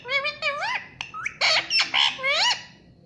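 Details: Ringneck parrot chattering rapidly: rising voiced syllables mixed with raspy squawks in a continuous run over a low background hum.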